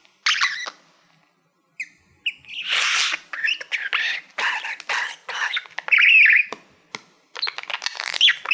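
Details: A male pet budgerigar sings to a silver play button plaque used as a mirror. After a short squeak and a pause, buzzy chatter, scratchy notes and high squeals follow in uneven bursts.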